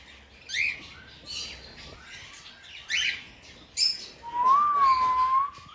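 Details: Several cockatiels in a large walk-in aviary give short, bright chirps about once a second, then a long, wavering whistled note near the end.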